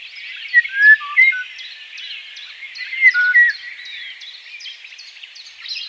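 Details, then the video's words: A Eurasian Golden Oriole gives two short, fluty whistled phrases about two seconds apart, rising above a dense, high twittering chorus of other birds. "Eurasian golden Oriole (Oriolus oriolus)"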